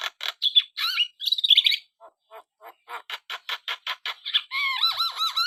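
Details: Black-winged starling in lively song: squeaky twisting whistles open, then a run of regular clicking chatters, closing with repeated looping whistled phrases.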